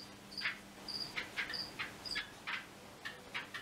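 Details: A Yellow-bellied wattle-eye gives rapid harsh chattering notes, mixed with thin, higher whistled tones, about three per second, over a faint background hiss.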